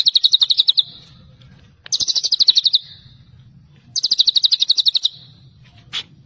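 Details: White-rumped shama delivering a tembakan celilin song: fast, high, rattling trills of about a dozen sharp repeated notes, each burst lasting about a second and returning every two seconds, with a soft low rumble between phrases.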